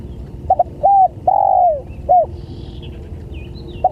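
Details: Spotted dove calling as a lure for other doves, one full phrase of stuttered short coos, a level coo, a long descending drawn coo and a closing short note, with faint chirps of small birds behind.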